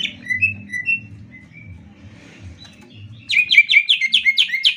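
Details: Greater green leafbird, master song for training other birds: a few soft whistled notes, a pause, then a loud fast series of repeated sharp chirps about three per second.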